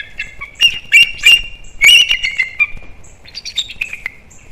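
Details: Pair of wild bald eagles, Captiva/Sanibel Island, Florida, December 2021, calling in alert before going after something right of the nest: jerky bursts of piercing squeals and fast piping chitters, trailing into softer high notes.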